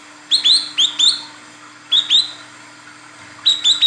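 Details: Female olive-backed sunbird calling for a male, kept as a lure bird: pairs and triplets of high, rising chirped notes with sharp onsets, then a brief gap, against a faint steady hum.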